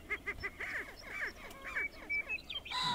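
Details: Five male Greater prairie chickens call over one another on their display lek at Wray, Colorado, in late April. They make a busy chorus of quick, nasal cackles and rising whoops in open country.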